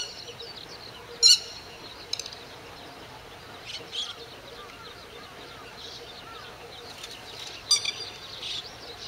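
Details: Grey-headed lapwing defending its territory against an intruding grey heron and ducks with low attack flights, morning of 31 May 2011 at 08:20; two sharp, harsh, high calls about six seconds apart, faint chirps between them, quiet rural background.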